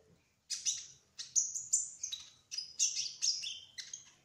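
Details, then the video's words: Brown-throated sunbird, locally called kolibri ninja trotol, singing: loud, ringing high whistles and chips in bursts about every half second, over faint low background noise. "Kolibri Ninja Trotol Gacor Ngerol : Singing Hummingbird"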